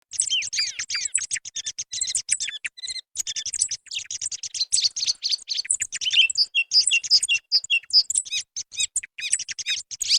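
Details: Song thrush song from a 2024 recording made to lure thrushes for hunting. A dense, unbroken stream of high, sharp chirps and short trills runs throughout with no pauses, some notes repeated in quick bursts.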